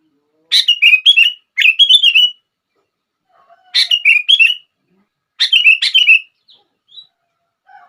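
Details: Sooty-headed bulbul song for drawing out other bulbuls' singing: four quick phrases of slurred, warbled whistles, the first two back to back, then two more after short pauses, with faint chips between.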